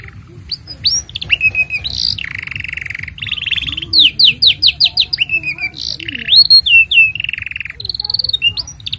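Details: Long-singing canary, a master track for tutoring young birds and coaxing mute canaries into song, delivering varied buzzy rolls, quick rising upsweeps, sharp repeated chips and whistled notes in a continuous stream with faint low background hum.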